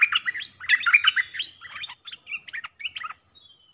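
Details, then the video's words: Stripe-throated bulbul song used as a trapping lure: loud, dense bursts of bubbly, warbled chirps in rapid jerky phrases, fading into a high thin whistle at the end. "Suara pikat merbah lekir"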